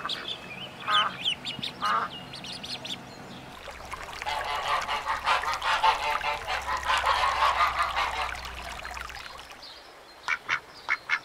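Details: Ducks on a lagoon: a few harsh quacks open and close the recording, with a dense stretch of overlapping raspy calls and background noise in the middle.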